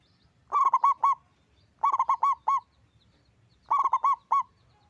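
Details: Local Indonesian zebra dove with a big voice, an avid singer: three cooing phrases, each a quick run of four or five rounded, harmonically rich notes, repeated roughly every one and a half seconds over quiet background.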